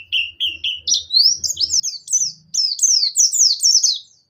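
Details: Javan white-eye, Buxton's type, singing in a lively full song used to prompt reluctant birds to sing: three short chirps, then a rising run of sweet whistled downslurred notes delivered rapidly, over faint low tapping sounds.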